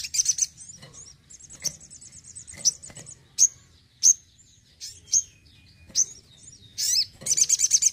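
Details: Crimson sunbird (sogon) kept at home in full voice: high thin chirps, a thin buzzy trill, crisp isolated ticks every second or so, ending in a rapid stuttering trill.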